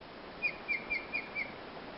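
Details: In southwestern British Columbia, a Steller's jay moving nearby gives five short, clipped mid-pitched notes in quick, even succession over about a second, against a faint forest hush.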